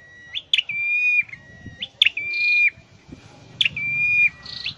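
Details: Caged scarlet-headed flowerpecker training its song: long level whistles led by sharp clicks, one followed by a short buzz, spaced about 1.5 seconds apart over faint low background rumble.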